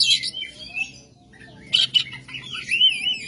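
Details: Rough, coarse oriental magpie-robin song: a harsh scratchy burst, a pause, then loud rasping notes leading into a warbled whistled phrase, faint hum behind.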